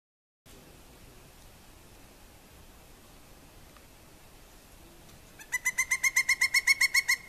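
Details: A female pileated woodpecker gives the "wuk" series call, likely territorial, on a visit in spring: a quick, loud series of about a dozen ringing, even notes near the end after several seconds of quiet background hiss.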